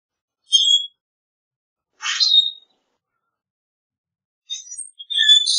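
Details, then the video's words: Common grackle with a thin high note, then a short rasping, squeaky song burst that ends in a brief whistle, followed by scattered high squeaks. "Common Grackle Song! Common Grackle call!"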